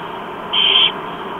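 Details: Four barn owl chicks in Chula Vista, USA, at breakfast on 28 October 2015 around 7:29 am while the adult Didi feeds them: a steady raspy begging hiss, broken by one brief, harsher, higher screech under half a second.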